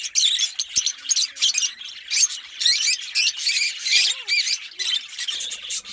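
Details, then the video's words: Pair of green Fischer's lovebirds singing and chirping, harsh high squawky bursts alternating with brief silences, a sharp click near the start and faint lower warbling notes mid-way. "Lovebird Singing & Chirping Sounds - Green Fischer Pair"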